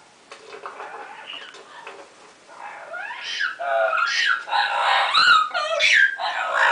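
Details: Female Double Yellow-headed Amazon parrot, a pet indoors, excited while playing in her favourite hiding place, an open cabinet: a run of chattering, squawky harmonic notes that grow louder, with rising and falling sweeps.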